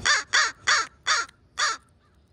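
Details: Close crow in a group of bold pre-roost birds at a schoolyard as sunset nears; five loud, harsh, nasal caws in quick succession, each about a quarter second, with a brief gap before the last, little else audible.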